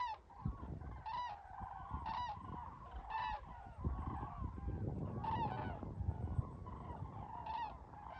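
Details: Flock of common cranes: loud, rolling bugle calls ring out roughly once a second over a continuous murmur of many overlapping calls, with a low rumbling noise underneath throughout.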